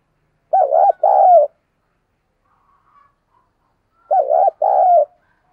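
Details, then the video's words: Decoy spotted dove calling to lure wild doves, 2022: two bouts of mellow cooing, each a short arched coo followed by a longer rolling one, separated by about three seconds of silence. "cu gáy mồi cây gáy gọi giọng chuẩn"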